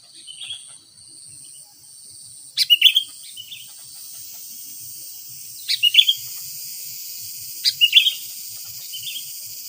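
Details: Sooty-headed bulbul calling to lure wild bulbuls: three short bursts of clipped, bright chirping notes come roughly every two and a half seconds, with a steady high insect drone behind.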